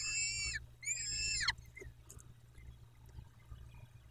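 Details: Nesting peregrine falcons in Dobra, Poland, 14 May 2021 at 14:18; two long harsh wailing notes with strong overtones, the second ending in a downward slur, followed by faint clicks and hum.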